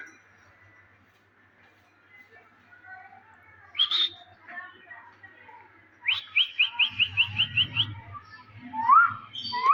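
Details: Talking pet Indian green ringneck parakeet, said to speak Urdu: a single sharp upward whistle, then a rapid run of about eight clipped repeated notes, followed by soft chatter, a low rumble and two short swooping calls.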